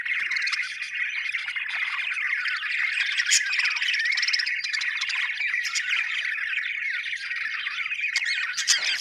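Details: Happy budgies keep up a dense, buzzy chattering warble throughout, dotted with short high chips and a brief trilled rattle partway through.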